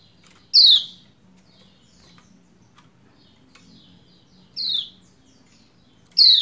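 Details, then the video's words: Female Lombok white-eye calling to coax the male into song; three sharp high 'ciak' notes sweeping down in pitch, evenly spaced about two seconds apart over a quiet background. "Ciak Ciak Pleci Lombok Betina Memanggil Jantan Supaya Cepat Gacor"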